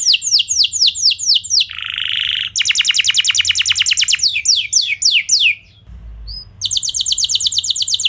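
A canary sings fast, high tours: rapid descending whistled sweeps, long trilled rolls and a harsh buzzy burst, with a short pause before the trills resume.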